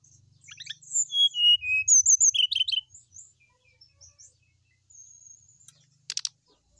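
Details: Sooty-headed bulbul singing a full, varied song meant to get other bulbuls singing: quick high chirps and warbled slurs in a dense two-second run, then scattered faint notes and a brief rattle.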